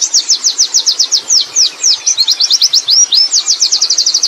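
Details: Wild Oriental white-eye singing a rolling 'ngerol' style song: rapid series of high thin downslurred notes, roughly six per second, with a few longer swooping whistles mid-phrase, continuous throughout.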